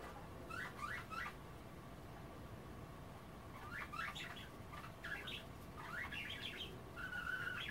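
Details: Kept budgerigars, busy nibbling kale in their bath water rather than bathing, keep up a soft warbled chatter of quick twisting whistled notes in scattered runs, with a low room hum underneath.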